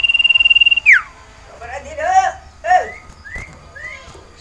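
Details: Sirtu iora kept in a cage, in breeding condition and calling for a mate: a fast high pulsed trill drops into a sharp downslurred whistle, followed by varied warbled and slurred notes at lower pitch.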